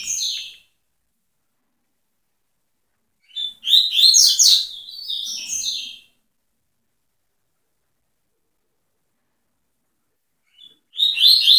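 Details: Double-collared seedeater singing the tui tui song style: rapid, high, twittering phrases of sharp notes, one long phrase in the middle and short bursts at the start and end, separated by silence.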